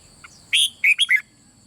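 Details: Red-whiskered bulbul, 'boen' style song sung continuously, played to stimulate birds: one brisk phrase of four loud whistled notes, each a little lower than the last, with a steady faint high hum.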